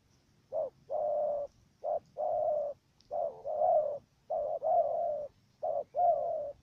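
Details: In Cà Mau, Vietnam, a trapping decoy dove coos in a stammering pattern, a brief note then a long steady hooting coo, repeated in regular pairs against a faint low hum.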